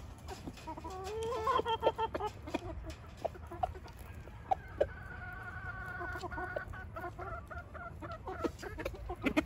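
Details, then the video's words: Swiss rooster showing his hens what to eat, giving quick, repeated throaty clucks, several stacked and rising at the start, then longer, level, tonal notes later, mixed with sharp taps and pecks against a low background rumble. "Der Hahn zeigt den Hühner was sie essen sollen"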